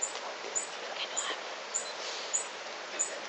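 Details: Tawny-bellied hermit (Phaethornis syrmatophorus) at La Romera nature reserve, Sabaneta, Antioquia, Colombia, 2012, gives a very high, thin squeak about every 0.6 seconds over a steady hiss of forest background noise.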